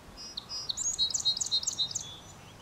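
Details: Tree swallow nestlings in a bird box beg as an adult feeds them: a rapid, high, thin chittering of short twittering notes and a few drawn-out whistles, with faint background hiss.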